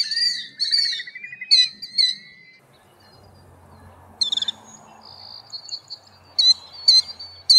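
Killdeer giving shrill, piercing calls that rise and fall, several in quick bursts with a short pause in the middle; nothing else stands out.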